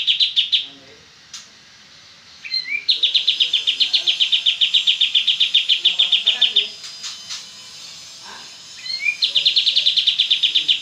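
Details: Lively oriental white-eye in rapid 'ngebren' song. Three bursts of fast, evenly repeated high chips, each opened by a short upslurred whistle and separated by quiet gaps with faint low chatter.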